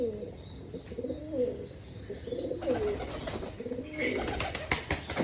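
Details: Pigeons at a rooftop pigeon farm waiting for breakfast feeding; low, rolling coos repeat through the clip, with sharp clicks and wing or foot noises joining toward the end.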